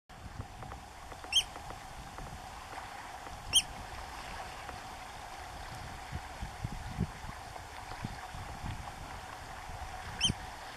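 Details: A Eurasian oystercatcher on the Rybachy Peninsula gives three sharp, high piping notes, spaced a few seconds apart, over a steady rushing background like wind or surf.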